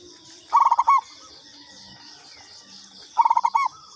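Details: Lure call of a local zebra dove, given twice about two and a half seconds apart. Each phrase is a quick run of clipped, stuttering notes closing in a brief coo, with faint background hum.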